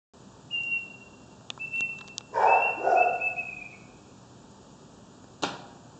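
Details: Bird singing at night in Kuching, East Malaysia: long, thin, level whistled notes, one after another, with a rougher, lower burst of sound in the middle and a sharp click near the end, over faint background hiss.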